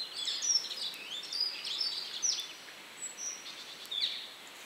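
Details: Red crossbill sitting high in a bare tree, uttering a run of bright, high, quick chirping notes, some sliding, scattered irregularly through the recording, with a soft constant hiss of outdoor background noise.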